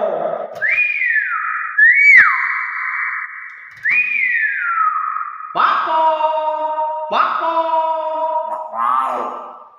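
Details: Common hill myna making drawn-out whistled notes that swoop up and then slide down, followed by nasal, harmonic, voice-like sounds. The sounds come in phrases of about two seconds, recorded indoors at close range.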